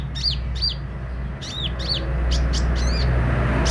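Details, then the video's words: Sunbird known locally as kolibri ninja singing actively: high, thin notes that swoop up and down, repeated in pairs, with low rumbling background noise. "Burung kolibri ninja mental baja buka paruh gacor dor"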